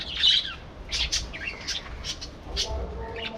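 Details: Several budgerigars in a colony aviary set up for breeding trade short, high, scratchy chirps and squeaks in an uneven string, with a low hum of background flock noise.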